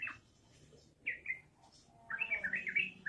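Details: Yellow-vented bulbul singing in the ropelan style: a few isolated whistled chirps, a pause, then a fast bubbly run of warbled notes to the end.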